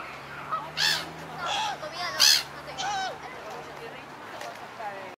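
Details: A displaying pair of Black-headed gulls strutting together outside the breeding season, keeping up their bond, give harsh, grating moaning calls in irregular bursts about every second, rising and falling, over a low steady hum.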